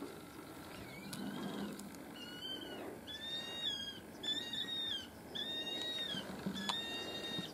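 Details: New Zealand falcon (kārearea) at the Brancott estate near Blenheim, Marlborough, in January 2020, gives a series of high, drawn-out, slightly mewing notes about once a second over steady low rumble of wind or distant traffic; New Zealand falcon.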